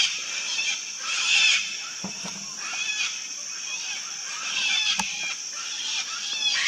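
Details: Raucous shrieking from a wild sulphur-crested cockatoo colony, a thick overlapping chorus of coarse calls with a louder burst early on and a couple of short sharp knocks.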